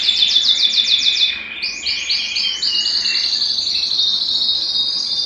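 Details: Belgian canary singing to excite males and bring females into breeding condition; rapid pulsed trill, a short break, then a rising bubbling trill that settles into a sustained high roll.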